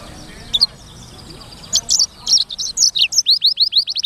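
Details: Black-throated canary (edel sanger, blackthroat) in lively, frequent song used as training material: a few isolated high chirps, then a fast jumble of sharp varied notes ending in a quick run of about eight rising upslurred whistles.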